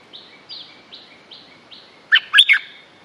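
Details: Stripe-throated bulbul lure recording for territorial birds: a run of faint, thin, slurred notes repeated about every 0.4 seconds, then a loud, bubbly three-note phrase near the end.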